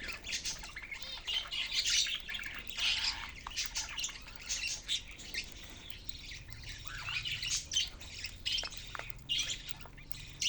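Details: Caged budgerigars chattering together: a dense stream of high, scratchy chirps and short squawks, with busy overlapping bursts throughout and brief quieter gaps.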